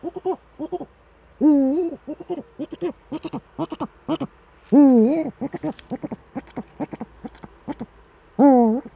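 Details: Eurasian eagle-owl duet with the male at the nest, Eifel, Germany, 13 December 2013 at 17:25 in the evening: long, loud, wavering harmonic calls about every three and a half seconds, with rapid short clipped notes filling the gaps.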